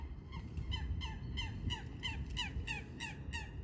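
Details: Eurasian coot: a quick series of nasal, harmonic calls, each sliding downward, repeated about three times a second, over low steady background rumble.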